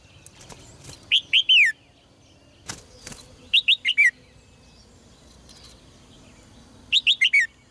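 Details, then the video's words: Caged red-whiskered bulbul singing, played to make males sing strongly: short bursts of three or four loud, clear whistled notes, each sliding down from about mid-high pitch, phrases spaced several seconds apart, with faint clicks and quiet background. "นกหัวจุก birds - เสียงนกร้องในกรง กระตุ้นนกตัวผู้ให้ร้องอย่างแรง"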